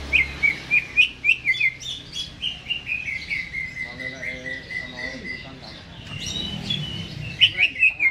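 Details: Greater green leafbird in its cage before being hung up: quick rising chirps lead into a long chain of short whistles sliding slowly downward, then a burst of high staccato notes near the end.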